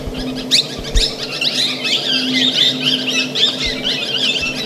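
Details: Plum-headed parakeets keep up a busy chatter of shrill, high squeaks and short twittering notes, about two a second, over a low steady mechanical hum.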